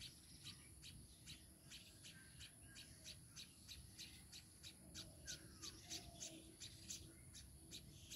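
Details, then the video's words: Baya weaver with its chicks: faint, thin, high chirps repeated steadily about once a second, with an occasional short, sliding note, against constant low rumble and a steady high hiss. "babui pakhi are tar baccha"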